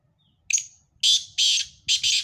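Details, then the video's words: Black francolin calling: a faint short note, then three loud, harsh, grating bursts in quick succession, with no other clear sounds. "کالے تیتروں کی مکس آوازیں"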